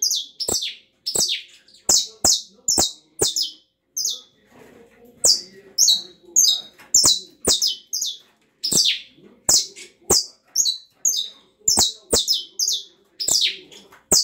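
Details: Canary giving its crackling 'estralado' song: a long run of high, rasping, falling notes in quick bursts, punctuated by sharp snapping clicks, with a short quieter stretch with faint low sounds before the song resumes.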